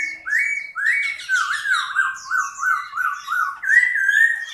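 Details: A large Chinese hwamei sings while fanning its wings: loud, rich whistles, about eight slurred falling notes each under half a second, then a higher sustained phrase with thin high notes above.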